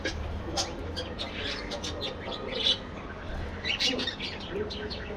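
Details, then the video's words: Colony aviary of budgerigars: busy twittering chatter with short harsh squawks, prominent high chirps near 2.7 and 4 seconds, over a soft steady hum. "budgies bird colony parakeet"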